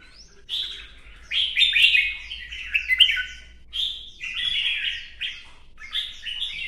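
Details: Caged red-whiskered bulbul sings while dancing in a competition display: sharp rising whistle, then jerky groups of rich, warbling notes with downslurred ends, delivered in short separated bursts.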